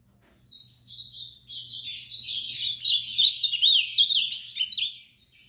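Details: Ultramarine grosbeak singing moicano: after a moment of quiet, a steadily swelling warble of fast, zigzagging high notes, peaking near the end before stopping abruptly.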